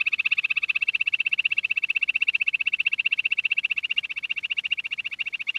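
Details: Quail (queen quail, lohari) calling in a rapid, steady run of high, slightly buzzy pulses, several per second, holding an even pitch throughout with nothing else audible.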